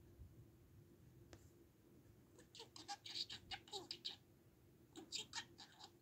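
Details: Indoors, a pet budgerigar starts up after a quiet opening with a single click, then breaks into quick bursts of scratchy, high chattering syllables, pausing once before a final short flurry.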